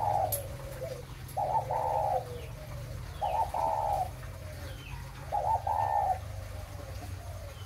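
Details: Breeding spotted dove of the 'mã phân hồng' type cooing: three mellow, low coo phrases, each a short note then a longer held one, spaced about two seconds apart over a steady low hum.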